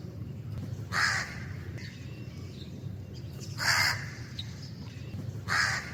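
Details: Black crow calling in its natural environment: three harsh, broad caws spaced irregularly, roughly two seconds apart, over a steady low rumble of background noise.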